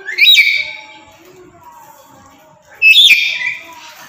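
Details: Tame pet black-capped lory giving two loud, harsh rising screeches about two and a half seconds apart, with quiet background hum between them.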